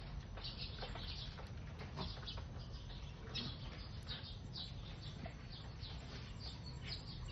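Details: Sparrows chirping while eating: a dense, steady chatter of short, high chirps overlapping throughout, with soft wing flutters and a constant low rumble underneath.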